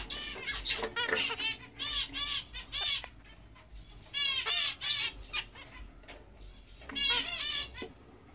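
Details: A large English zebra finch pair, a grey male with a fawn female, gives nasal, buzzy calls with many harmonics. The calls come in bursts and quick runs separated by short pauses, with faint background hum.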